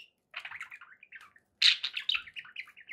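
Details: Soft budgie warbling gives way to a loud, squeaky outburst at the midpoint, then a descending run of short, bright chirps from the pet birds.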